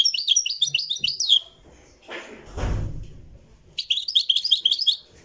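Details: Moroccan goldfinch recorded live: two bursts of rapid, twittering high notes with sharp tinkling trills, separated by a pause filled with a low thud and rumble.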